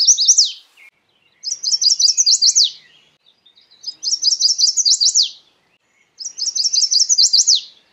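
A Chestnut-sided Warbler sings four bright, high phrases, each a quick run of sweet notes ending in an emphatic downslurred flourish, repeated every two seconds or so.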